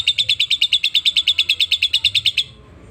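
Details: Lovebird, a caged bird in active full song, giving a fast run of bright chirps, about fifteen evenly spaced high notes over two and a half seconds, then stopping into quiet background hum.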